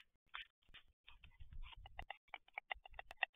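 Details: White storks at the nest on 11 June 2023, courtship display: rapid dry wooden clattering, a string of short knocking pulses speeding up toward the end, with a few low thuds and rustles at the start.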